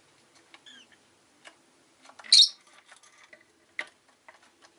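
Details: Pet rosy-faced lovebird chirping, one loud harsh burst in the middle and a few sharper chirps later, with soft clicks and faint ticking in between.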